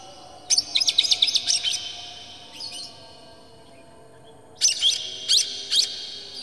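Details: Oriental magpie-robin singing agitatedly with tail spread, used to provoke other magpie-robins into song: a quick cluster of high, sharp chirped notes, a short pause, one brief note, then another burst of bright, ringing phrases.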